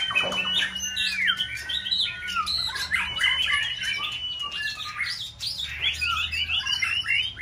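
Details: Caged white-rumped shama at its seasonal peak, delivering multi-faceted song meant to stimulate a rival to sing; a long descending whistle leads into dense, chattering, jumbled phrases of mixed high notes.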